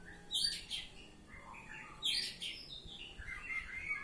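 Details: Oriental magpie-robin singing in the loud ngeplong style: two bursts of sharp, high whistled and chattering notes about 1.7 seconds apart, followed by softer warbling phrases, over low background hum.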